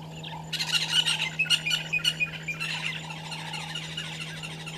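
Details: Violet-backed starling pair at a nesting tree by Gowrie dam waterhole, Djuma Game Reserve, Sabi Sand, South Africa, at 05:48 on 13 December 2022, filmed by a live camera. Harsh, buzzy chattering bursts start after half a second, over a steady low hum and soft low hoots.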